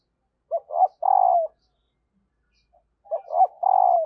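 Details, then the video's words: Female spotted dove call to encourage males to coo. A phrase of two short notes and a long, harsh, slightly falling coo repeats after about two and a half seconds of quiet. "Bổi lười gáy và lâu nổi vì anh em chưa mở vdeo này/ tieng cu mai kich trong"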